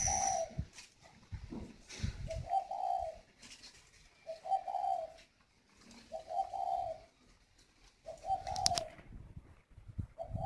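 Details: Hand-raised, very tame male spotted dove, large and with a whistle-type còi voice, gives short low cooing phrases about every two seconds, each a soft rolling hoot, amid background clatter.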